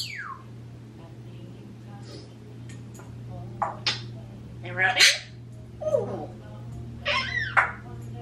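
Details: Indoors, a 26-year-old African grey and a 16-year-old Quaker parrot, left alone, trade a scattered series of squeaks, descending whistled sweeps and clicky chirps at irregular intervals, with a constant low electrical hum behind.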